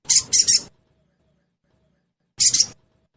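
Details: Sogon, or crested jay, trotol call meant to trigger quick singing: a harsh triple-pulsed rattle lasting under a second, then a pause and a second rasping double burst.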